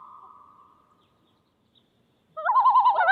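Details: Common loon on a northern lake: a steady, drawn-out tone fades away over the first second, then after a silence a loud, rapidly wavering, quavering note bursts in and rolls on to the end.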